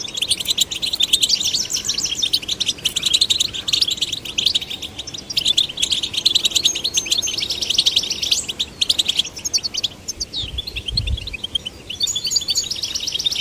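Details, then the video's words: Goldfinch chicks, both male and female, stimulated to sing; long, lively run of rapid high twittering and trilled phrases, nearly nonstop, with a low thud near the end and a final buzzy trill. "Stimulating male and female goldfinch chicks to sing birds chirping"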